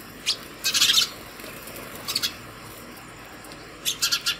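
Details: A house sparrow calls other sparrows to food at a home feeder early in the morning. Short clusters of high, bright chirps come at the start, the middle and the end, with quiet between and a faint steady hum.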